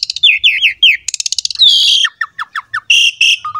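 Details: Asian pied starling singing vigorously with a pumping display, used to draw other starlings into singing: a run of falling slurred whistles, then a fast dry rattle, a long descending whistle and a series of short downslurred notes.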